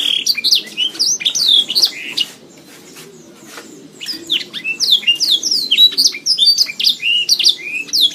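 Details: Canary song meant for training pet songbirds, fast run of sharp high chirps and sweeping whistles, a brief lull around two seconds, then dense repeated twittering phrases to the end.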